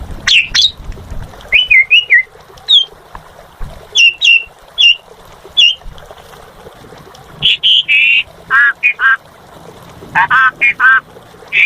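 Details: Asian pied starling in full song: short harsh squawks and slurred whistled notes around mid-high pitch, delivered in bursts with pauses, then a run of bright chattering phrases near the end.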